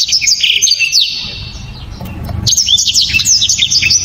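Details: {'text': 'Dense, loud song of a black-throated canary with sharp, clear shots. High rapid twitters fill the first second, a pause with low background hum follows, then another fast warbling burst.'}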